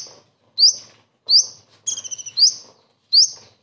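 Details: Common iora imitating a kingfisher within its song, a tutor recording for cage birds. Four quick, sharp rising whistles about 0.7 seconds apart, with a fast rattled series of clicks in the middle.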